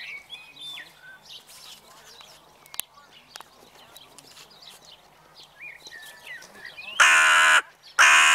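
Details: Evening crows: after a stretch of soft twittering and chirps from smaller birds, two loud, harsh caws burst out close together near the end.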